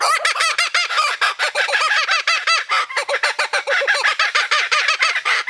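A kookaburra laughs in a loud, rollicking chorus of rapid, harsh, hooting notes, rising and falling about five times a second without pause.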